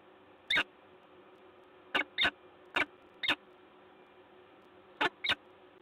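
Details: Peregrine falcons, a pair, at Lotos in Gdańsk, Poland, on 10 October 2021. Seven loud, harsh, grating notes, mostly paired, spread over about five seconds against a quiet background.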